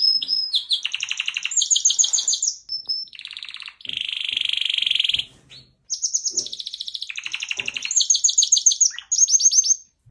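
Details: Singing canary delivering high rolling trills, sustained buzzing rattles and short whistled slides in long unbroken phrases separated by brief pauses.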